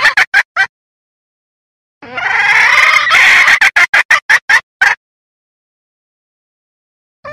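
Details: Wild red junglefowl hen luring roosters for trapping: four quick clucks, silence, then a long, rough squawk followed by a burst of eight fast clucks, and a final note at the end.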